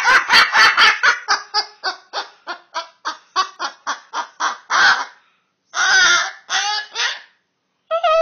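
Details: A female pet cockatoo calls excitedly while being tickled in play: a fast series of loud, harsh, rasping squawks about three per second, then a pause and a few longer, drawn-out screeches.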